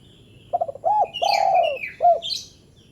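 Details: Single spotted dove phrase, a short call to rouse lazy doves: fast stuttering low notes, a hollow coo, a long downslurred croon and one clipped final coo, under bright high chirps and whistles of other birds.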